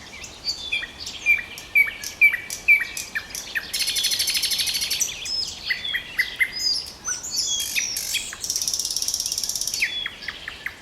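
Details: Common nightingale song: repeated rising whistled notes at a steady pace, then a harsh buzzy stretch and further quick phrases, over a dense chorus of other birds.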